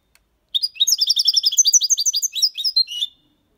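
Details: Clean song in the Malaga copy style, with motifs, complaints and ornaments, from a European goldfinch aged six months: over two seconds of lively, rapid twittering, tinkling notes tumbling over one another before stopping abruptly.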